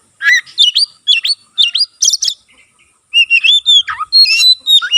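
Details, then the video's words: Tail-spreading Oriental magpie-robin singing eagerly, a song claimed to trigger song in other magpie-robins; a string of short hooked whistles, a pair of harsh high notes, then a fluid rising and falling warble. "burung kacer gacor buka ekor sekali bunyi langsung bisa merangsang kacerlain gacor"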